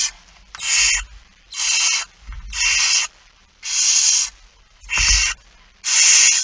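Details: Barn owl young begging at feeding time, It Fryske Gea, 13 September 2019 at 06:57; six evenly spaced rasping hisses about a second apart, with dull knocks from the nest.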